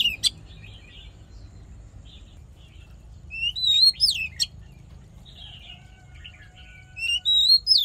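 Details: Oriental magpie-robin singing a fighting song meant for voice training and stimulating males: a sharp note at the start, then two short clusters of high whistled slurs separated by quiet stretches.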